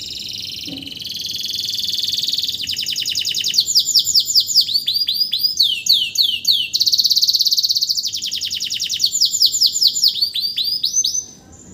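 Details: Post-moult canary kept as a singing tutor for other birds, in full song again without conditioning: long varied phrases of rapid high trills, downward-sweeping whistles and buzzy rattles, changing pattern every second or two, ending abruptly.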